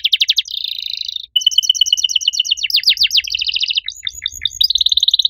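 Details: Canary in loud, unique-style song, switching fast between quick whistled sweeps, a buzzy held trill, a rapid two-pitch rattle, looping chirps and a final buzzing roll, with faint low rumble underneath.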